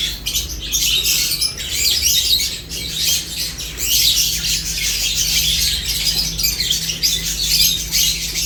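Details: Lovebirds chirping as they eat: continuous harsh, high-pitched chattering from several birds, swelling and fading in waves, with a constant low electrical hum beneath.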